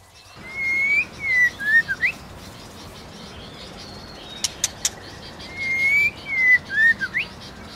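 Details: White-rumped shama singing competitively, with a female stirring the male: two pure whistled phrases of sliding and dipping notes over steady background hiss, with a few brief sharp clicks between them.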